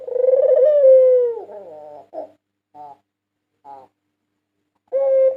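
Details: Lure recording of a 2022 national champion white Barbary dove: a single long, smooth coo falling slightly in pitch, followed by scattered short soft notes and silence, then the start of another coo.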